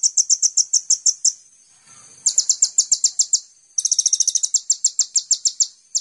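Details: Kolibri ninja (Van Hasselt's sunbird) singing a lure song meant to spur caged songbirds: bursts of high, sharp chirped notes separated by short gaps, the last phrase opening with a quick buzzy trill.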